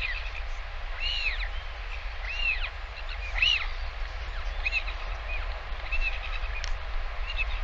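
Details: Northern royal albatross chick at its nest being fed lunch by a parent, live cam, 20 August 2023; repeated arched, whining squeals about every second or so, set against continuous low wind rumble.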